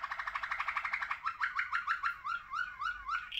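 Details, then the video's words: Song of a Malinois Waterslager canary: bubbling, water-like rolling trills. The song opens as a dense warble, then breaks into evenly spaced, downward-sliding gurgled notes about four per second, over a faint room hiss. "Canario de canto Malinois Waterslager"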